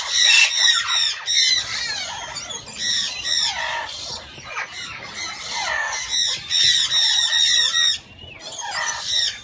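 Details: Guinea turaco sitting on eggs at a breeding facility, giving long bouts of loud rasping cackles in pulsed series, roughly two or three notes per second, with short gaps between bouts.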